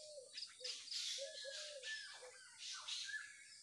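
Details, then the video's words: Birds in the morning: lower, mellow short notes repeated several times alongside higher busy chirps and squeaky calls, all over a steady background hiss. "Enjoy the chirping of birds and the view of nature in the morning."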